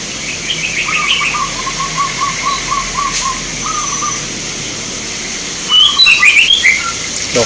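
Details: At a local zebra dove contest in Magelang, Indonesia, a long series of evenly spaced short rolling coos sounds for about three seconds, later joined by sharper chirps from another bird against a background hiss.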